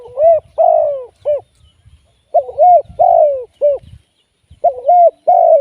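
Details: Spotted dove kept as a live decoy bird for trapping, giving low, mellow coos in phrases of three notes, the last note shorter. Phrases are separated by pauses of about one second, with faint low rumbling underneath.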